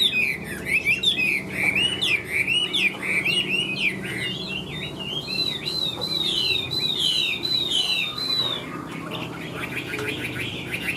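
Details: Big-bodied caged Chinese hwamei with yellow bill and legs singing continuously: loud, varied looping whistles flowing into a long rippling warbled phrase, then softer, broken notes toward the end.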